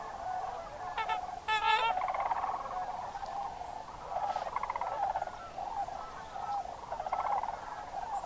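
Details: Migrating Sandhill cranes in October, Crex Meadows wetland in northwest Wisconsin. Several close, loud, rolling trumpet calls with a rich, buzzy tone stand out over a constant chorus of many distant cranes.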